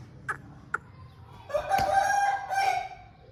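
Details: Aseel rooster, a home breed, crowing: two short sharp clucks, then a drawn-out harmonic crow lasting about two seconds that holds a steady tone, with a slight dip before a final rise and fall.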